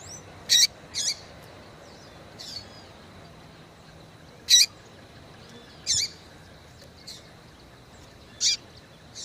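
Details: Female Yellow-bellied seedeater giving a call meant to stimulate males. Brief, piercing, high chips are heard, some doubled, spaced irregularly every one to two seconds across about nine seconds.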